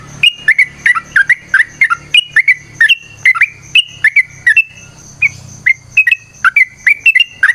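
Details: ['Yellow-vented bulbul, a lively fighting-style song with long rapid phrases, used as a lure to make other birds sing. Short, punchy, slurred whistled notes come in quick succession, some rising and some falling. A thin steady high whine runs underneath.']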